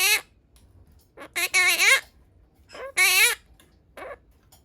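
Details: Pet pastel blue monk parakeet talking, mimicking Japanese words: harsh, buzzy voice-like syllables with wavering pitch, grouped in two longer phrases and shorter calls, recorded in a quiet small room.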